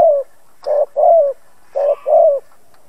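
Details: Spotted dove decoy bird used for trapping, cooing to provoke other doves to call: a single low mellow coo, a pause, then two paired phrases of short hollow coos, the second note of each pair longer and gently falling.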